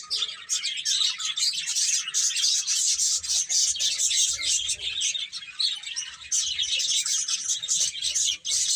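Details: Baby chickens, several chicks eating and playing, giving dense high-pitched chirps and peeps that overlap almost continuously, with faint soft rustling below.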